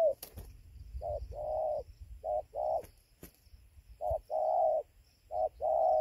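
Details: Spotted dove at its roosting tree in Gia Lai, Vietnam, at 5:20 at dawn on 24 November 2020, a wild bird drawn in during a lure session. Phrases of a short coo and a long rolling coo repeat, with a few sharp clicks.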